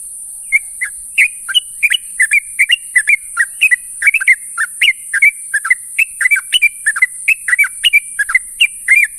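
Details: A sooty-headed bulbul calls to companions in the morning with a steady stream of short, slurred whistled notes, paired and bouncing up and down, continuing for nine seconds against a high background hiss.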